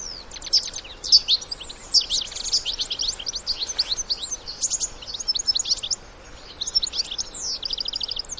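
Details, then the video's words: European goldfinch adults with young in the wild, singing with twittering calls: a fast run of high, bright chirps and short buzzy notes in dense bursts, near-continuous with brief pauses, over faint outdoor background noise. "الحسون وصغاره في الطبيعة مع تغريد وبتبتة خلوية"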